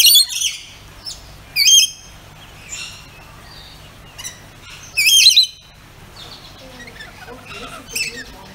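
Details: Pet rainbow lorikeets calling: loud, harsh, buzzy screeches in short bursts, repeated irregularly about every one to three seconds, with softer chatter between them.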